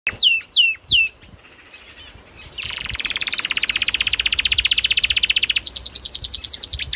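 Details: Canary singing: three loud descending whistled sweeps, a pause, then a long fast rolling trill of rapid repeated notes followed by a higher, quicker buzzy trill, all clear and close.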